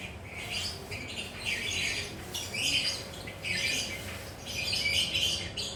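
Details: Relaxed lovebird perched and chattering in the ngekek style: bursts of harsh, buzzy, high squawks in rough rapid strings, each lasting about half a second to a second, with short gaps between them and a faint steady hum underneath.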